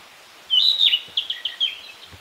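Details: Narcissus flycatcher singing in fresh green leaves, northern Harima, Hyogo Prefecture, Japan: a loud sliding whistle followed by a series of short, evenly spaced piping notes, with a soft thump near the end.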